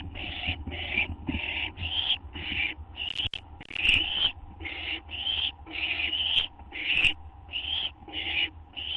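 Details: Owl calling while awaiting a gopher or vole treat, past midnight on 8 September 2011, live camera: a fast series of breathy, hissing screeches, around fourteen in nine seconds, over a steady low hum with a few clicks.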